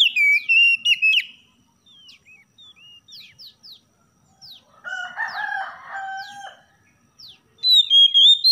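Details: Morning oriental magpie-robin master song for stimulating lazy singers: clear slurred whistles open and close, with scattered soft chirps between, while a rooster crows loudly in the middle.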